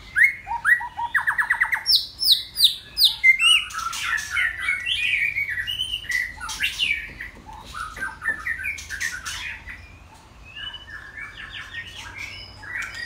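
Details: Male white-rumped shama held in captivity as a model singer, opening with rapid repeated buzzy trills, then a tumbling mix of chattering and whistled notes that fades to softer scattered phrases.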